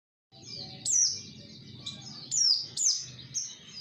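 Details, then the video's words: Oriental white-eye song played as a lure to make other white-eyes answer: high, thin, sharply down-slurred chirps at irregular intervals, often two close together, over a low steady background rumble. "pancingan pleci 100% nyaut"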